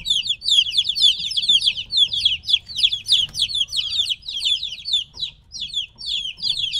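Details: Noisy young chickens around three weeks old, taken away from their mother, produce a rapid stream of high downward-sweeping chirps, many birds overlapping, roughly two peeps per second each.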